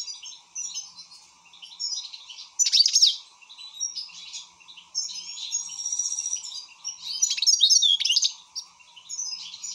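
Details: European goldfinch singing excitedly: scattered tinkling twitters punctuated by loud sharp downward-swept notes and buzzy trills, with brief pauses; faint hum beneath.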